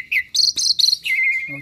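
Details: Asian pied starling kept at home as a mimic of other birds gives a short slurred whistle, two buzzy high bursts, then a long steady whistled note.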